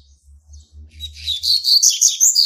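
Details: Young double-collared seedeater male, hatched in March 2019, starting to claim territory. After a low hum, it bursts into loud, high, rapid twittering notes.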